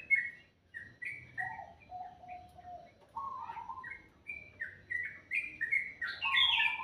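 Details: Morning song of a bird called very sweet: a string of short whistled notes hopping between high and lower pitches, spaced irregularly and growing louder and busier toward the end.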